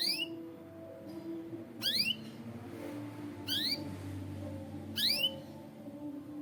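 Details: Separate sharp upswept chirps from a white canary, each a quick rising whistle, spaced one to two seconds apart against a quiet background hum.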